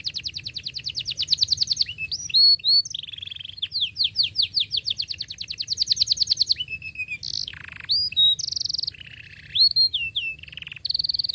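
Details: Canary pouring out continuous song as a lure for learning youngsters: long rapid rolls of repeated notes broken by swooping whistles and harsh buzzy bursts.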